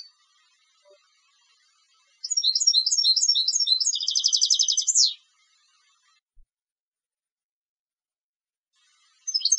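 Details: Competition European goldfinch: bright twittering notes speeding into a long, dense buzzy rattle that slides down at the end, followed by quiet and a brief new note.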